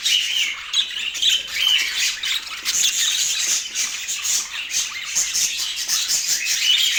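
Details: Budgerigars in Portland, a dense, continuous warbling chatter of many overlapping high chirps and squawks with no pauses, the whole mass of sound sitting high and bright.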